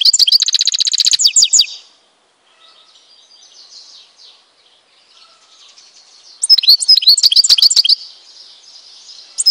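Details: Goldfinch from Tizi Ouzou in Algeria singing a buzzy, high trill that breaks into twittering, falls silent, then resumes with another tinkling burst over faint background chirps.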